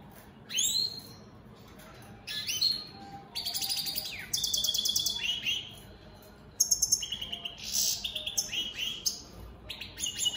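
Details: Opal split Satane goldfinches singing: varied bursts of twittering and buzzy trills, tinkling high notes and short nasal phrases, alternating with quiet gaps, in a lively chattering sequence.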